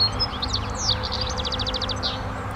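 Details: European goldfinch singing in a garden: bright, high twittering notes, then a fast run of about ten evenly spaced buzzy chips, over a low steady background rumble.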